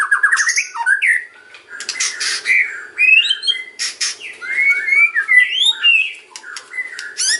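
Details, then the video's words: Kretekan-style white-rumped shama song meant to lure other shamas: fast descending trill of slurred notes, dry crackling bursts, then tumbling mix of buzzy clicks and bright whistled swoops, with a low constant hum. "KRETEKAN & OCEAN MURAI || MEMANCING BURUNG MURAI APAPUN LANGSUNG NYAUT"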